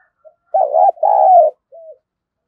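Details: Spotted dove kept as a decoy, singing thúc, gù and calling phrases. A tiny soft note leads into a pair of loud, coarse coos, then one short, clean, falling coo closes the phrase.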